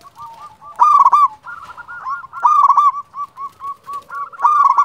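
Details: Zebra dove, a local bird in full voice, giving rapid strings of soft rolling coos punctuated by louder, rough, ringing phrases about every second and a half.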